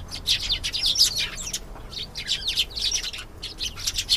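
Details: Singing canary giving quick clusters of high, sharp chirps and trills in repeated bursts with short pauses between, lively and bright throughout.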